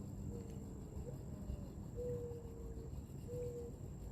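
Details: On a very quiet night while fishing, a Mourning Dove gives soft, low, drawn-out cooing notes, three hollow tones over a few seconds, with a steady high insect drone and low rumble.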